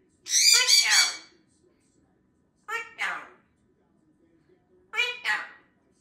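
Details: A chatty African grey parrot talking in the evening, telling another parrot to pipe down: three short, high, voice-like bursts, the later two clipped into two syllables each, with quiet pauses between.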